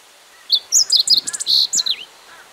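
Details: Meadow bunting singing a single rapid phrase lasting about a second and a half: sharp high chirps and slurred notes, a brief sustained buzzy tone midway, then a falling slur at the end, with faint lower calls behind.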